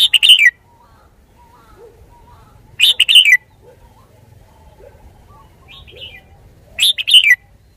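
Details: Red-whiskered bulbul, caged, repeating a loud three- to four-note whistled phrase roughly every three to four seconds, with quieter chirps in between.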